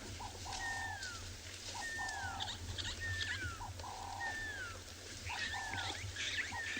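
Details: Pearl-spotted owlet in South Africa's bush in the late afternoon of 23 June, when it often calls, gives clear, falling whistles about once a second. Lower burry notes from another bird and a steady engine rumble are also heard.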